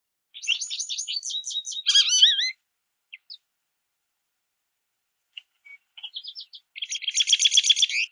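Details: A small group of American goldfinches at a backyard feeder, pulling sunflower seeds from a mesh feeder, chatter in quick high twittering runs with bright rising notes, a burst, a pause, then another rapid bout.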